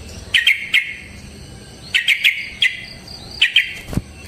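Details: Sooty-headed bulbul giving short bubbly phrases of three or four quick bright notes, separated by pauses of about a second, against faint background hiss.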